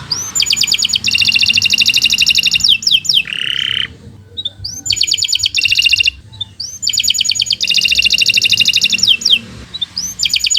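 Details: Long, fast canary song for training other birds: repeated bursts of dense high trills with short whistled notes and a brief steady tone between phrases, over faint low background noise.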